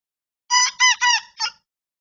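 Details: First crow heard one night from a two-and-a-half-month-old cockerel: four rasping, strained syllables, the first three run together and the last clipped and set apart, in a quiet setting.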